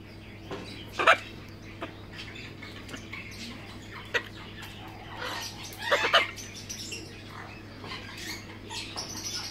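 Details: A female and a male blue-and-yellow macaw give a few short, harsh, raspy squawks, with the loudest bursts near the start and a second cluster later, over a steady low hum.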